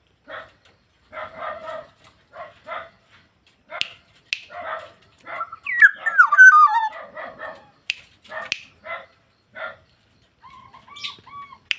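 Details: Harsh, buzzy calls from a black-naped oriole repeat at an uneven pace around a central burst of loud fluty, tumbling whistles. Faint level whistles close the sequence.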